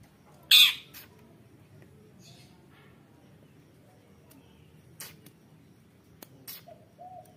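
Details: A female long-tailed shrike, used as a lure call to stimulate other shrikes to sing, gives a loud, harsh rasping note, then a few scattered scratchy notes and a short mid-pitched tone over a quiet hiss.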